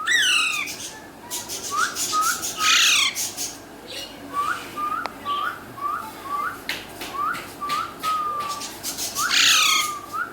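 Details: Loud rasping screeches from an Alexandrine parakeet, a talking bird in Urdu/Hindi, alternate with runs of short rising whistles repeated about twice a second, ending with another harsh burst.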